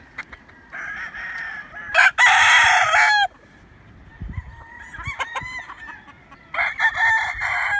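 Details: Roosters and chickens crowing at waking time: a loud full crow in the middle, softer crows before and after, and clucking notes between them.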